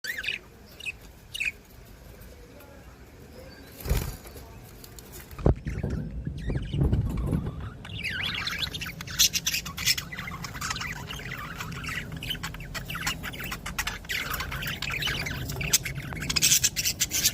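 Budgerigars chirp in quick, high, scratchy bursts that turn into busy, continuous chatter.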